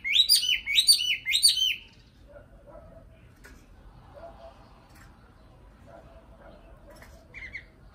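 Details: Nightingale giving three quick, loud, rich warbled phrases in a row, followed by near silence with faint low notes and a brief high chirp at the end.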